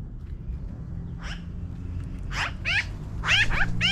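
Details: Magpies flying down from a tree break into a building series of harsh, raspy, downward-slurred calls, faint at first and growing louder and quicker toward the end, over low rumble.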